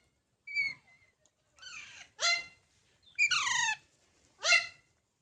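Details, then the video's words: Young parrots producing a short thin whistle followed by several loud, rasping squawks with rich harmonics, each call falling in pitch, spaced roughly a second apart. "Baby Parrots Sounds|Funny Parrot Sounds"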